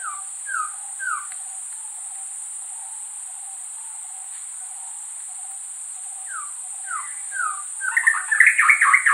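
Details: White-rumped shama from the Indian subcontinent singing to attract a mate: quiet, well-spaced falling whistles, a long pause, more soft whistles, then a loud burst of rapid warbling notes at the end.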